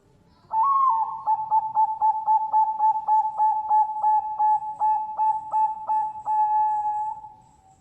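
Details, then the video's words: Captive Bangkok-type zebra dove (perkutut) from a bird farm in Sidoarjo, East Java, Indonesia, singing: a short rising opening coo, then about seventeen quick, evenly spaced soft cooing notes at low pitch, closing on a long held note. "SUARA MERDU PERKUTUT BANGKOK"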